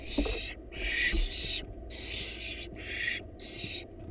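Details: Barn owl nestlings, four wild chicks in a nest box being fed a rabbit by their mother, give broad rasping hisses, five drawn-out bursts separated by short gaps over a steady low rumble.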